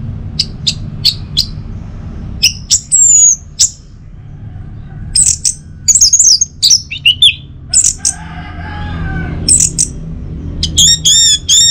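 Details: Orange-headed thrush singing, used in the morning to encourage other birds to sing: varied phrases of high chips, rising and falling whistles and rapid trills come in irregular bursts, ending with a fast series of bright notes, over a faint low hum.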